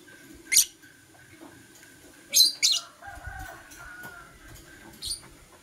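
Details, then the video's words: Morning chirping from green and blue masked lovebirds: isolated piercing high chirps, a close pair near the middle, and thin sustained whistled tones underneath, with light fluttering noise. "Lovebird Singing and Chirping Sounds - Green & Blue Personata"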